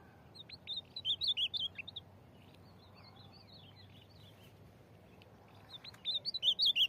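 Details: Corujão-style ultramarine grosbeak countersinging with a free bird in Rio Grande do Norte. Two bursts of rapid, sweet, slurred whistles are separated by a pause in which fainter, distant whistling answers.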